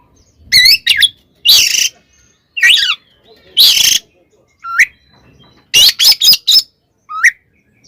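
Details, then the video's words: Oriental magpie-robin fighting song aimed at provoking rivals: harsh raspy bursts alternate with clear rising whistled notes, several short notes in fast succession near the end, silent gaps between phrases. "SUARA BURUNG kacer gacor TARUNG KONSLET nembak ini AMPUH buat PANCINGAN KACER agar EMOSI SEKETIKA"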